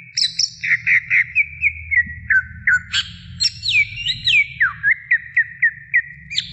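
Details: Female greater green leafbird calling the male: short whistled notes repeated rapidly, broken by higher swooping slurs, then more short even whistles, over faint low hum.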